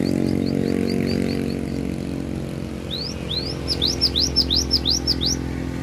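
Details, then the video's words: Cinereous tit from Aceh, recorded at Takengon in Central Aceh regency, singing its full repertoire of fill-in phrases: a soft row of short high notes, then a loud run of quick rising whistled upsweeps, over a steady low engine-like hum. "GELATIK BATU ACEH FULL BONGKAR ISIAN"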